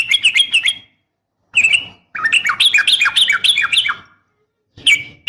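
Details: Female yellow-vented bulbul calling to a male in several bursts of quick, bright chirps, the longest a tumbling two-second cascade of rising and falling notes, with short clipped phrases around it.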